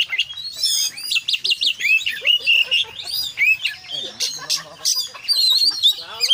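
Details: Rich 'gacor konslet' song of an Oriental magpie-robin full of inserted phrases: loud harsh bursts, bouncing upslurred whistles and rapid trills, some lower warbles mixed in, delivered in quick succession.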